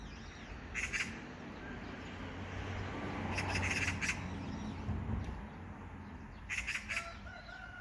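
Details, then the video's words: Magpie calling in three harsh, rattling bursts of rapid chattering notes, spaced a few seconds apart, over a constant low rumble of background noise. "까치~ The magpie's calling!"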